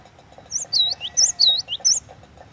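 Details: Clear whistled song of a cinereous tit used as a lure: rapid two-part phrases, a sharp high note then a looping lower note, repeated about five times over a soft steady mechanical ticking.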